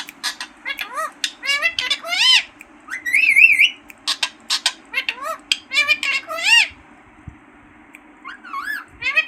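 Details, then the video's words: Green parrot voice, dense runs of arching harmonic syllables and a wavering whistled phrase, followed by sparse notes near the end, with a low steady hum. "Talking parrot# green parrots# bolane wala tota#"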